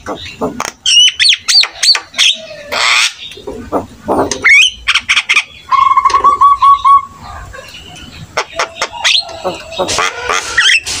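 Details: Jalak kebo (buffalo starling) in full varied song, used to coax lazy starlings into singing; clicks, harsh rasps and whistled slurs, with a rapid rattled series of notes in the middle.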